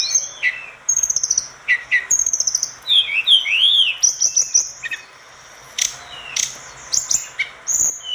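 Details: Orange-spotted bulbul singing energetically as a tutor recording for other birds: rapid, varied phrases of high chattering trills, looping whistled notes and sharp chips, broken by short pauses, with the bursts repeated irregularly.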